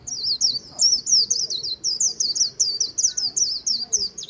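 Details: By the Kỳ Cùng river, a white-eye delivers a sustained líu-style song of rapid, bright, high chirps and slurred whistles, rising and falling in quick succession without a break.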